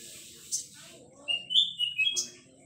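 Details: Young male olive-backed sunbird in full song: a thin, high, drawn-out whistled trill rising and falling for about a second, with soft sharp clicks and low background noise.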